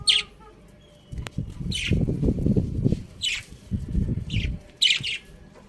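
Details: Several bright, harsh budgie chirps spaced about a second apart, each a brief scratchy burst, with low rustling and thumping noise between them.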